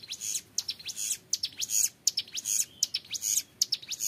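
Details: Hill prinia, young, giving 'ngebren' song: clusters of buzzy high notes with sharp ticking accents, repeated roughly every half second.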